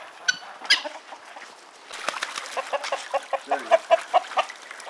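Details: Subordinate rooster on a hillside in a flock with guinea hens, geese and a duck: two sharp notes, then a fast run of clipped clucks, about two per second, growing louder toward the end.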